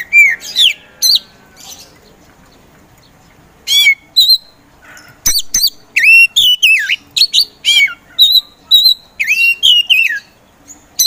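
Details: Oriental magpie-robin kept caged for singing competitions gives a long, varied run of loud slurred whistles, sharp clicks and downswept notes, about two per second with irregular gaps.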